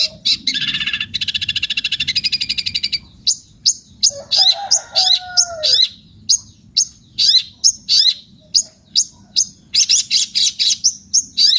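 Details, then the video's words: Long-tailed shrike singing energetically: a rapid buzzy rattle of dense high notes, then a brief lower whistled slur, followed by a run of sharp chirps and short bursts of trilled notes. "cendet gacor"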